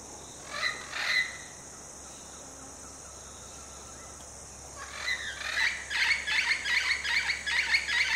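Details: Red-lored amazon in Costa Rica, seen on trips to national parks in January and October 2021. Two harsh, raspy squawks come early, then a run of grating calls repeats about twice a second over a steady, high insect drone.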